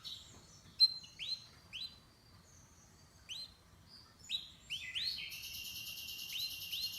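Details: Canary chirping: scattered upward-sweeping whistled notes, some repeated, ending in a sustained high buzzy trill; quiet background.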